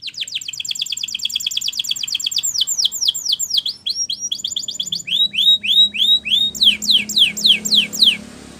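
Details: Training song of a Gloster canary: long rapid series of sweeping trill notes, shifting to slower, loud, down-slurred whistles repeated about twice per second.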